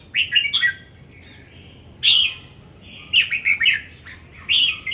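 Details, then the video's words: A competition-singing red-whiskered bulbul gives loud, bubbly whistled phrases in short bursts about every second or two, some rising and warbling, over a faint background hiss. "Chào Mào Đấu Hót"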